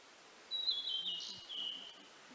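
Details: Blue-and-white flycatcher song phrase: a bright high whistle that slurs downward and wavers, followed by a softer trailing whistled note, over faint rural background noise.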